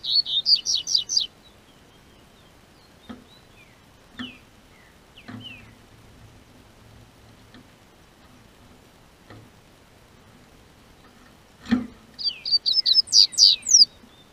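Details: Double-collared seedeater held by a licensed breeder in southern Brazil, singing as the weather warms. A quick phrase of high, sharp notes opens the clip. Quiet clicks and knocks follow, then a second, louder phrase of rapid, shrill slurred notes.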